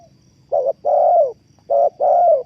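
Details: Spotted dove call used as a lure for trapping: two paired phrases, each a short hoarse coo followed by a longer falling coo, with a faint high steady tone in the background.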